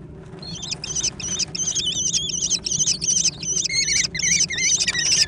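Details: American kestrel young in a noisy food fight give a rapid, almost continuous run of shrill wavering squeals, some dropping lower near the end, over faint low hum.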